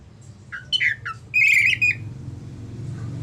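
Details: Orange-headed thrush ngeplong song, played to get silent thrushes singing: a few slurred whistled notes, then a drawn-out wavering whistle, over a low background hum.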